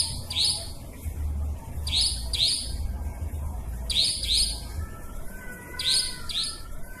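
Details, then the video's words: Nightjar calls from a trapping lure recording: paired sharp upslurred buzzy notes, the pairs coming every second or two, with a faint low rumble beneath. "Suara pikat burung cabak ribut ampuh"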